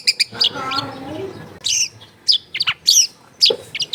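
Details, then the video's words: Long-tailed shrike singing varied, full song recorded at home in a busy residential area: sharp high chirps and squeaky whistled notes in short clusters, after a brief lower, tonal sound at the start. "CENDET GACOR FULL ISIAN MEWAH"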